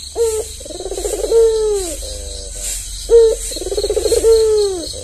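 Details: Tame albino Barbary dove, white with red eyes, a frequent caller kept as a lure and as a training model for other doves; a sharp opening note, a rolling trill, then a long falling coo, given twice, with a faint rhythmic hiss behind.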